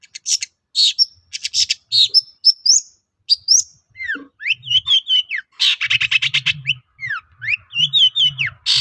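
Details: Long-tailed shrike lure song to get other shrikes replying: buzzy trills, rising whistles and quick downslurred notes in a busy, varied medley, with a slight low hum.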